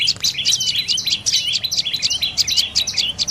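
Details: Brief burst of dark-necked tailorbird calls, bright piercing chirps and little downslurred notes tumbling quickly one after another.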